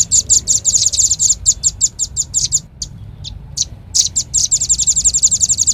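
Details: Velvet-fronted nuthatch calling as a bird lure: quick, high, sharp chips in a fast rattle that slows to scattered notes, then speeds up again into a dense chatter.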